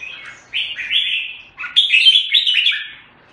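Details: Jambul, or red-whiskered bulbul, from Singapore, giving two bright warbling phrases of slurred, liquid notes with a brief pause between them.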